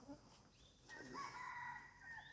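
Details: A wild red junglefowl crows in forest: a harsh, strained crow that rises then holds steady. A woman's voice briefly comes before it. She wonders whether it is crowing for its morning meal.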